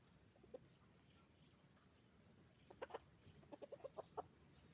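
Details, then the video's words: Hens and roosters on a chicken farm; after a quiet start, a string of short, evenly spaced clucks rises in the last two seconds above a low continuous background rumble. "Moment of the sound of a chicken farm, roosters and hens making noise"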